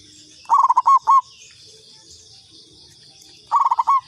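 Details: Local zebra dove giving a lure call: two bursts of quick, rolling coo notes ending in a longer held note, about three seconds apart, over a steady high insect-like hiss.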